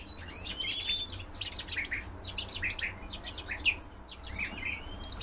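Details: Captive common redpolls kept indoors, two perched side by side: scattered short high chirps and thin upslurred whistles with some buzzy notes, several birds calling irregularly over a steady low hum.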